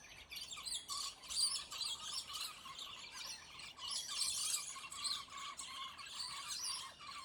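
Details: Several territorial, aggressive scaly-breasted lorikeets squabble and fight, in a fight that lasted about ten minutes, in a dense, continuous chatter of harsh, high screeches and shrill chirps, calling over one another.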